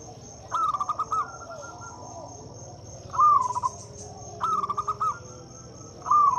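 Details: Local zebra dove song used to prompt silent doves to sing. Four bright, stuttering cooing phrases arrive about every one and a half seconds over a faint constant high-pitched hum.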